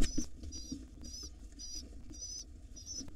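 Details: Wild pigeon chicks beg loudly when their father comes to feed them at breakfast time: high, thin, trembling squeals repeated about every half second, with bumping and rustling in the nest.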